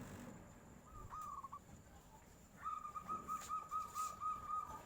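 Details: Local zebra dove replying as a tofu seller passes, nyuling style: a short soft phrase, a pause, then a longer, even series of gentle cooing notes, fairly quiet against background noise with a few faint clicks.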